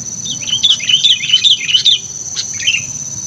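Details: Vocal, lively sooty-headed bulbul kept as a decoy: a rolling series of quick warbled chirps lasting over a second, then a short separate phrase, with a steady high whine and low hum behind.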